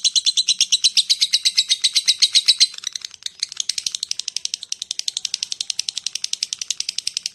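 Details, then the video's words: Lovebird (labet) ngekek calling to lure other lovebirds: loud rapid rasping chatter for under three seconds, a short break, then a quicker, softer stream of ticking notes. "SUARA LOVE BIRD ( LABET ) NGETIK, NGEKEK PANJANG AMPUH UNTUK MEMANCING LABET YANG LAIN"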